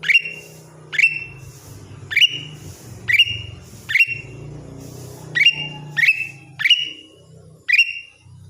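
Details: Greater green leafbird, a caged songbird, repeating loud sharp whistles with a quick downward sweep into a sustained high tone, roughly every second, over a continuous low background hum.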